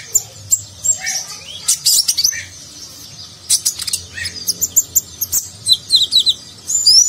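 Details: Konin sunbird, a nectar feeder, pouring out a lavish nagen-style training song: dense high twitters, falling whistled slurs and repeated sharp chips in steady succession.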